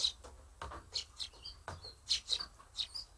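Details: Sparrows excitedly inspecting handmade nest boxes in Japan, giving short high chirps and twittering notes in quick irregular bursts, several close together, over a low background hum.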